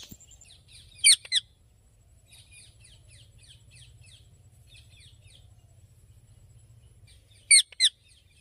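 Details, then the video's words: Happy Indian ringneck parakeet: two pairs of sharp loud screeches several seconds apart, with faint rapid chirping in between and a low hum beneath. "Happy Parrot Sounds"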